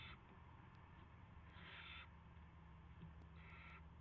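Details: Owl at a nest in the early morning of 9 March 2016, when a rat is brought; three quieter rasping hiss bursts, the middle one longest, with low electrical hum beneath.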